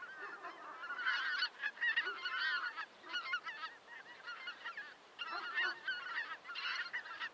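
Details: Greater white-fronted geese chattering as a group: dense runs of nasal, yelping honks, with short pauses between the loud stretches.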